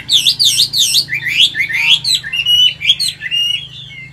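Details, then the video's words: Old wild-caught caged Chinese hwamei, Vietnam, 'forest voice' song: bouncy, repeated swooping whistles, then quick, high, twittering notes that fade toward the end. "Chim già rừng, Cao cầu - Bộ to mẫu chim rất đẹp- Giọng rừng"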